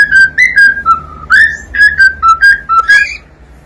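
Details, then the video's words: Short, clear whistled notes from a singing cockatiel, quickly repeated at slightly different pitches, some rising at the end, forming a bouncy little tune. "SOM DE CALOPSITA CANTANDO"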